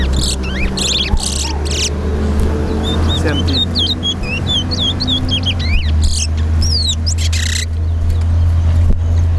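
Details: Chestnut-bellied Seed-Finch (towa towa) in a Linden whistling competition, caged: bursts of sharp rising and falling whistled notes in the middle of the passage, with a steady low hum and distant talk underneath.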